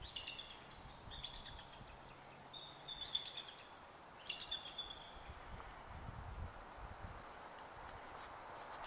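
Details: A bald eagle at a beach-side walking trail on Indian Island gives three bursts of thin, high, piping chatter about two seconds apart, over a steady outdoor background hiss.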